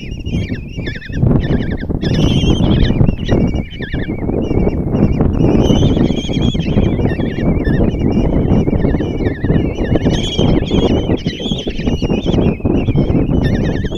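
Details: Five common kestrel chicks being fed by their mother at a Hungarian nest box, Tiszalök, June 26, 2024; continuous chorus of tremulous, wavering squeals layered over constant loud scuffling and shuffling in the box.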